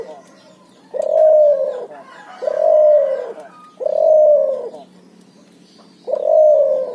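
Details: Cuhu, a crossbred puter and tekukur dove, singing actively with a ngoar nguku style: four long, mellow, slightly falling coos, each about a second long, repeated about every 1.7 seconds with quiet gaps between.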